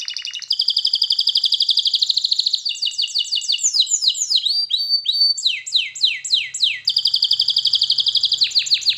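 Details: Canary singing melodies used for song training: long fast rattling trills framing a middle passage of sweeping falling notes, rapid and loud, with almost no background noise.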